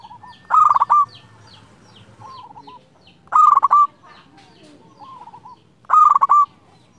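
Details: Local zebra dove in full clear song to challenge a rival: three loud stuttering coo phrases with rolling endings, about every two and a half seconds, with softer answering coos from other doves in between.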